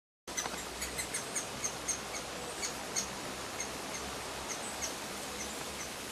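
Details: Great spotted woodpecker chick demanding food while an adult feeds it in the grounds of the former Rowden's House; faint, sharp, high clicking calls repeated rapidly, about three per second, over a steady background hiss.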